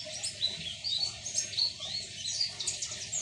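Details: Midday song of a white-eye raised by hand from a young age: dense, high, thin warbling with quick slurred whistles running continuously, with a soft low background murmur.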